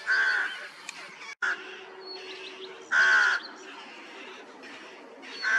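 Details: Rook colony with young chicks in the nest, 16 May 2023, following a cold spring: scattered grating caws, four loud hoarse outbursts at uneven gaps, quieter rasping calls and faint higher chirps filling the pauses.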